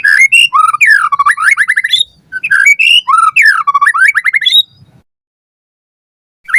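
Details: Tutor song of a white-rumped shama for captive birds: two similar bursts of swooping whistles and quick descending trills, each about two seconds long, then silence.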